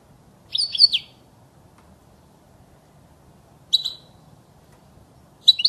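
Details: European goldfinch song recording meant for tutoring young goldfinches to sing: short, high twittering phrase of several quick notes, then brief chirps about three seconds later and again near the end, over a faint low hum.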